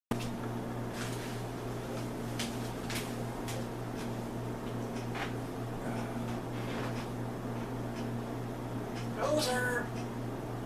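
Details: A pet African grey parrot near the end says a short, human-like word, apparently "poser", with a rising then falling tone, over a steady indoor hum and a few soft clicks.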